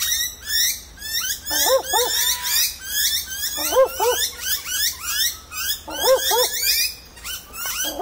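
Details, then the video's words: Barking owl calling by day from high in dense leaves of a tree at Warriewood, Sydney, NSW, Australia, apparently seeking a mate; paired low arched barks repeated in bursts, under constant busy chiming and screeching of bell miners and other birds. "Barking Owl at Warriewood Northern Beaches NSW Australia"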